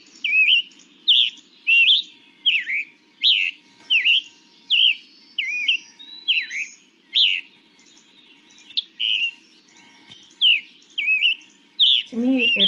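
Scarlet Tanager singing hoarse, burry robin-like phrases, about one every second, slurred up and down; a steady low hum runs beneath and a brief harsh note ends it.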